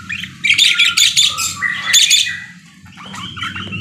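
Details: Parakeet in full chatter, a dense rapid burst of harsh buzzy squawks and twittering notes lasting about two seconds, then quieter scattered chirps and a thin sliding whistle.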